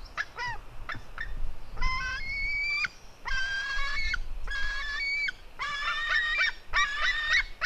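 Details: White-tailed eagle eaglet, a female fighting with her brother at 16:09. Several long, steady, strained squealing cries with rich overtones, some held about a second, mixed with a few short clipped yelps early on and low background rumble.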